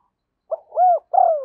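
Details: Spotted dove decoy giving a single luring coo phrase: a short clipped note, then two long, loud, throaty, slightly falling coos.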